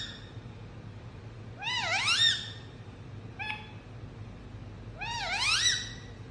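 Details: Indian ringneck parrot chirping at home: two loud dip-and-rise nasal calls about three seconds apart, with a brief, softer flat note between them, over faint room hum.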